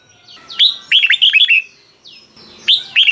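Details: Song of a Red-whiskered bulbul from Thailand, 'bearn' style for exciting caged birds: a quick rising whistle leads into a cluster of rich, warbling, rolling notes, then another phrase begins.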